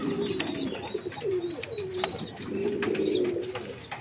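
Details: Jacobin pigeon with long, smooth, low coos that sag and swell, a drawn-out phrase repeated twice, against soft clicks and scattered high chirps from small birds.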